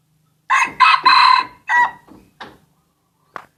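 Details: Aceh junglefowl used as a decoy to lure birds: a loud, harsh, multi-part crow of about a second, its strained syllables running together, then fading stutters and a short final note after a pause.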